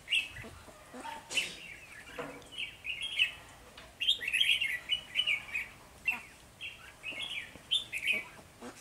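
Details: Decoy red-whiskered bulbul singing to lure wild birds during early-season trapping on 3 November 2020; a lively run of clear, chirpy warbled phrases repeats almost continuously, each lasting under a second.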